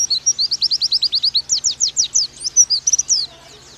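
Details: Oriental white-eye song in the rapid 'nembak' style. A steady string of sharp, very high descending whistles comes quickly and evenly, then breaks into a looser jumble of twittering notes before going quiet.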